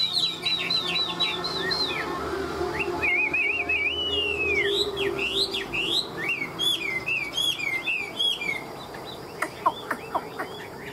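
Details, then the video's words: A hand-tamed Chinese hwamei in a cage sings 'ngũ trường' song: a long series of quick wavering whistles, rapid upslurred and downslurred notes repeated about four per second, clear and varied. "Họa mi ngũ trường"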